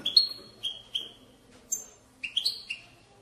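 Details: Short excerpt of a European goldfinch batbata, used to stimulate goldfinches to sing. A few clipped, tinkling chirps, a brief pause, then a quick twittering flourish, over low background noise.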